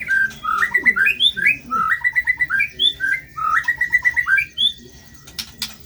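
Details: Caged white-rumped shama from Indonesia singing a rich, rough-toned song full of imitated phrases: rapid runs of whistled and chattering notes, slurred trills and sharp chips in quick succession, ending in a few clicks over low background noise.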